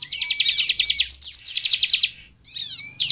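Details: Persistent high-pitched song of a bar-winged prinia, known locally as ciblek, used to lure others into song: a fast, even string of sharp chipping notes for two seconds, then a brief pause and slurred twittering notes.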